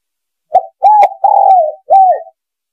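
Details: Lure recording of a spotted dove: one full phrase of a short hooting note, a rising coo, a long purring croo and a closing downslurred coo, low and mellow against silence.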